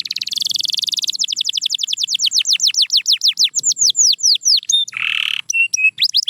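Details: Canary singing: a long, fast trill of rising-then-falling swept notes that slows and loosens, followed by a lower buzzy burst and a few sharp whistled notes, clean and loud with no other sounds.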